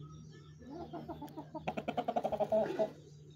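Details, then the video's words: Chickens, a hen and rooster with chicks, during mating and feeding; a fast run of soft, rhythmic clucks speeds up and grows louder over a steady low electrical hum. "chicks original sound"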